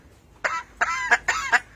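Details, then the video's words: A talking pet myna mimicking Malayalam human speech gives three short, harsh, nasal, hoarse voice-like syllables over about a second, like imitated speech or a cough, amid talk about coughing. "മലയാളത്തിൽ സംസാരിച്ച് അത്ഭുതപ്പെടുത്തുന്ന മൈന I MYNA MALAYALAM TALKING"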